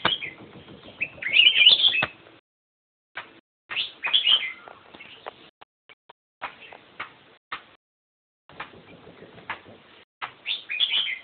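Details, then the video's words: Black-crested bulbul singing short bursts of bright, warbled, chirpy notes, broken by brief pauses between phrases, against an otherwise quiet background. "Black crested bulbul sings melodious songs!"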